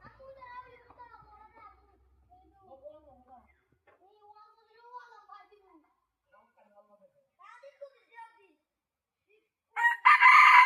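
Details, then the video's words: Junglefowl give short bursts of nasal, harmonic cackling calls, wavering and repeated in uneven runs, before a loud harsh rush of noise cuts in at the end. "Original while chicken calling time"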